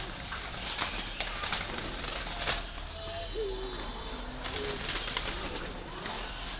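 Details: Green pigeon calling: a string of short, clear whistles that waver up and down, some flat and some bending or looped, spread across several seconds among rustling and scattered clicks.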